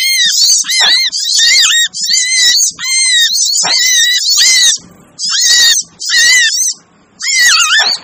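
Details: Lure recording of noisy crimson sunbirds for drawing in difficult birds: loud, grating high chatter in bursts, each with a hooked lower whistle, and longer quiet gaps late in the clip.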